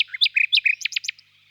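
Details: Common nightingale phrase of varied notes: short falling whistles alternate with level piping tones, then three quick, loud, sharp strokes before the phrase fades.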